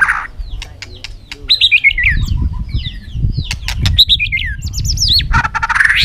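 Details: White-rumped shama fired up in competitive fight singing under afternoon sun: bursts of sharp clicks, then quick slurred whistled phrases, with a low rumbling background throughout.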